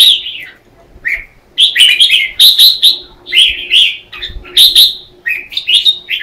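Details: Red-whiskered bulbuls in competitive morning singing, used as lure song for training: clear whistled phrases in quick succession, several slurring downward, after a short quiet opening.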